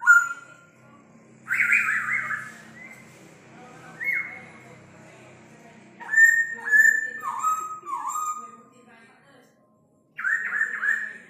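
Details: Laughingthrush from old forest giving a song that imitates a rooster's crow, 'Ò... ó... o': strong whistled notes that rise then fall in steps, delivered in short phrases separated by quiet gaps.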